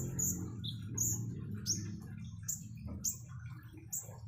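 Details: Common iora song with flowing water: well-spaced, very high, sharp whistled notes about once every half second, set against a constant murmur of trickling water.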